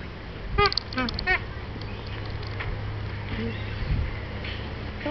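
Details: Magpie goose at Martin Mere, NW England, gives a quick burst of three or four loud, nasal honks, then softer scattered calls over a low background rumble.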